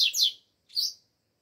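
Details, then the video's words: Double-collared seedeater in Brazil during cold weather: two short, sharp, high descending chirps separated by a brief pause, clean and close with no other sounds. "COLEIRO ALEGRIA 🇧🇷 frio ainda ainda..."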